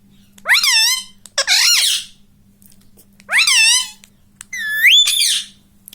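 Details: ['Pet ring-necked parakeet kept at home and taught to talk, saying "mummy": four harsh, nasal, two-part syllables with strongly bending pitch, spaced by short pauses over a faint steady low hum.']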